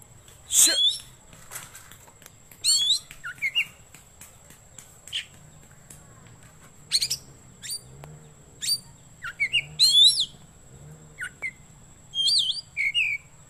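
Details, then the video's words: Oriental magpie-robin song suited to luring wild birds or tutoring caged birds: scattered loud whistled phrases and sharp chirps between pauses, with clicks and a steady low hum. "Suara Burung Kacer Cocok Buat Pikat / Masteran"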